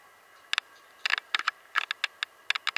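Hooded Tanager giving sharp, dry chip notes, single or in quick pairs and triplets, about a dozen in under three seconds, over a quiet background.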